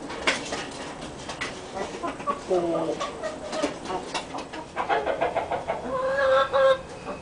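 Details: Barred hen laying an egg: bursts of harsh, harmonic clucking notes that build into longer cackling runs in the second half, with human voices and some background noise mixed in.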